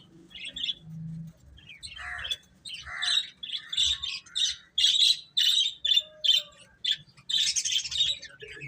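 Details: Young chickens peep loudly in clear, separate high chirps repeated about two or three times a second, after a few lower sounds at the start.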